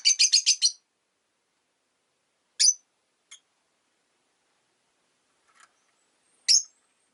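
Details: Rosy-faced lovebirds, five pet birds caged beside a window on a winter day, start with a rapid run of five shrill chirps, followed by scattered single high chirps separated by long silences.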